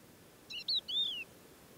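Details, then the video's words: A Thekla lark sings at first light in stony desert near Boumalne Dades, Morocco, in March 2016: a brief clear whistled phrase of a few quick high notes, then a longer arched whistle that slides down, with quiet background. "Singing Thekla Lark"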